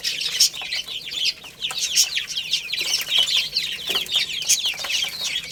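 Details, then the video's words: Several little chicks peep constantly as they play and eat. Bright, downslurred chirps repeat quickly and overlap, broken by brief clicks. "Cute Little Chicks Chirping Sounds"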